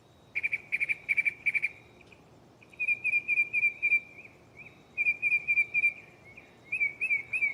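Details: Mockingbird singing at night in a nearby tree, moving through its song catalog: a loud run of four harsh notes, then long strings of softer, rapid warbled notes repeated in bursts.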